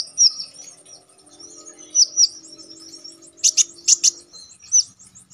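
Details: Konin, the Orange-headed Thrush, singing sharply in a wild style for songbird-contest training: high slurred whistles alternating with loud buzzy bursts, over a faint low hum.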